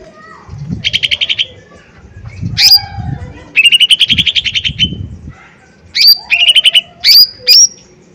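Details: Lesser green leafbird in full, loud song used as a lure to provoke others into singing: rapid buzzy trills around mid pitch alternating with sharp high whistled upslurs, in bursts separated by short pauses, with a low rumbling background.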